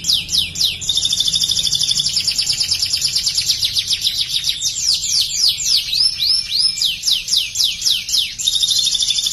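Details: Canary with learned ciblek (bar-winged prinia) phrases, singing insistently: high buzzing trill, then a run of sharp downslurred whistles, then the trill resumes near the close.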